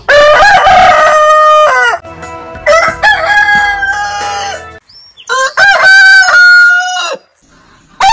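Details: Roosters of heritage chicken breeds crowing; a long falling crow, a quieter distant crow, then another loud crow with choppy start and held ending.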